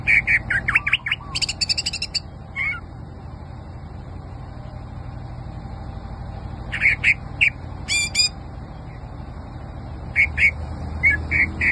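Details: Greater green leafbird kept by an owner, singing scattered bursts of sharp chirps, slurred whistles and short rattled trills, separated by quiet gaps, over a faint continuous low hum.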